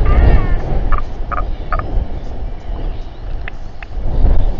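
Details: Royal albatross group gathering and fight near a nest with a chick in New Zealand, evening of 27 January 2021; short clipped harmonic notes sound in a quick series of three, then two more, against constant strong wind.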